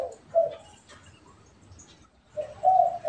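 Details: Spotted dove, pet and wild birds answering each other; a short low coo early on, quiet gap, then a longer cooing phrase of joined notes ending with a brief extra coo.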